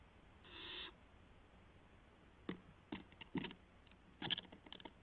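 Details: Barn owl owlet testing its wings just after midnight on April 12, 2016: one rasping hissed screech, followed by bursts of clicks, taps and rustling from movement.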